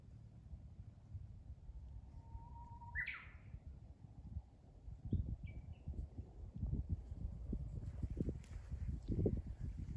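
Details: Japanese bush warbler singing: a long, steady, mid-pitched whistle of about one and a half seconds, then a quick rising, tumbling flourish; a few faint short notes follow, over constant low rumbling background noise.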